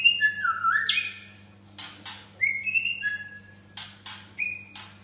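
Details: White-rumped shama giving vigorous song of drawn-out, pure whistles, one swooping low then leaping high, separated by short pauses and sharp clicking sounds, over a steady low hum.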